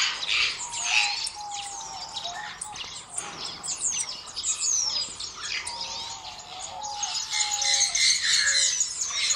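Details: Several southern red bishops keep up an unbroken stream of shrill, scratchy chirps and buzzes, with brief low whistled notes scattered throughout.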